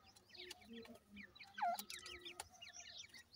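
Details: A brief burst of high, slurred peeps from feeding francolin chicks, with one louder lower whistled note in the middle and a few sharp clicks.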